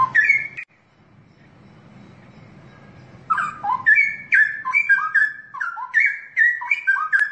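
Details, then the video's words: Straw-headed bulbul singing energetically: one loud whistle, a quiet stretch of hum, then a long run of rich, rolling whistled phrases with sharp upward flicks between notes. "Kicau Burung Cucak Rowo Rawa Gacor"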